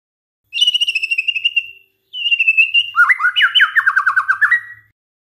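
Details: White-rumped shama song used as a lure to provoke other shamas into singing: a sustained whistled phrase of rapid even notes, a short pause, another whistle, then a fast descending trill of quickly repeated notes.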